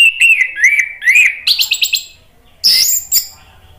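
An orange-headed thrush sings clear, rising and falling whistled phrases, then a quick run of repeated notes and two harsh, scratchy bursts; no other sounds.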